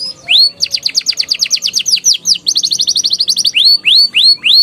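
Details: Canary song used as a lure to prompt young canaries to sing, in ngeriwik and ngeroll style: rapid rolling trill of high downslurred notes, then a second buzzier trill, ending with slower rising whistled notes about every half second.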